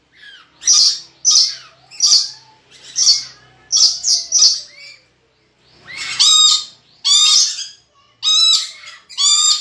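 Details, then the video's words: Tame pet red lory, described as chatty, uttering loud grating screeches in bursts about every half second to second, a short silence, then coarser buzzy squawks with stacked harmonics; indoor setting with slight background hum. "Burung Nuri Gacor dan Jinak"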